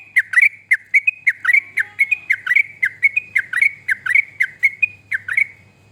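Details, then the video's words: Yellow-vented bulbul song used as a training recording to get other birds singing: rapid bubbly, slurred notes, about two per second, each a quick downward-then-upward chirp, with a faint low hum beneath. "Burung Trucuk Bahan Ombyokan Biar Pada Bunyi"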